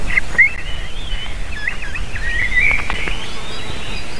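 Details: Eagle calls at a nest, female calling as she lands with eaglets crying, before feeding, recorded 7 June 2023 in late afternoon: high, thin whistled chirps and rising-falling squeals, run together almost continuously, over low wind rumble.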